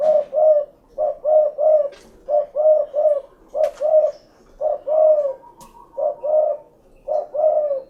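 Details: Spotted dove cooing steadily, soft hollow notes in quick pairs and triplets, with brief pauses between groups, plus a few faint clicks and a thin high whistle in the background.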